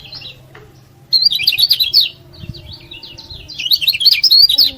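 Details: Master song of a lively lemon-bellied white-eye, meant to stir rival birds to sing: a brief high twitter, then a long, fast jumble of sweet, warbling chirps that swells again toward the end.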